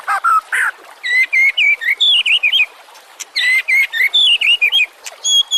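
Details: White-rumped shama song, a master recording for teaching other songbirds: loud varied whistles and chips in two rapid bursts of twisting, slurred notes separated by a short pause.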